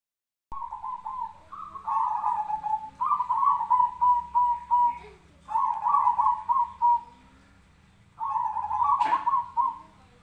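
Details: Zebra dove fighting call, recorded for training other birds: rapid, staccato, bubbling coos in four long phrases, each rolling into a drawn-out ending, separated by short pauses. A sharp click sounds near the end.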